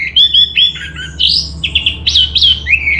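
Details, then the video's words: Orange-headed thrush song from Bali, Indonesia: a varied run of clear whistled phrases, some slurred and falling, others rising sharply, delivered in quick succession with short gaps, over a faint low hum. "Suara ANIS MERAH Cepat Gacor"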